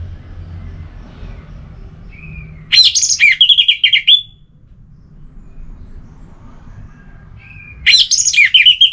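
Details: Orange-headed thrush singing in a relaxed style, meant to stimulate other birds that are off form: two short bursts of bright, high, jumbled whistles several seconds apart, with faint low hum beneath and quiet gaps between.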